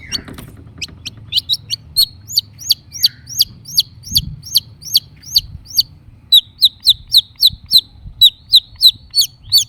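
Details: Long-tailed shrike lure song for a silent caged bird: many short, sharp upslurred notes repeated rapidly and evenly, with a faint low rumble behind.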